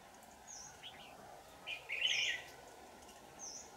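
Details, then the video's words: At a bulbul trap in Dak Lak, Vietnam, 4 January 2018, a red-whiskered bulbul of the 'Lưng tôm' type sings one loud, rolling warbled phrase lasting under a second. Faint short notes come before it and high thin whistles recur. "Bẫy chào mào Lưng tôm hàng căng xòe"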